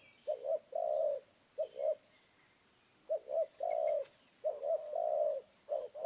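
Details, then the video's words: Spotted dove giving soft, low cooing phrases: short paired notes followed by a longer, slightly rolling coo, repeated several times over six seconds with brief pauses, against a steady high-pitched hiss. "Burung terkukur"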